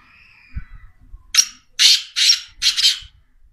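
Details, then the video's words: Black francolin, known locally as teetar or kala teetar, giving four loud, harsh, rasping notes in quick succession, each a broad grating burst, the last one doubled. A faint low rumble is heard beforehand. "Black francoline teetar sound"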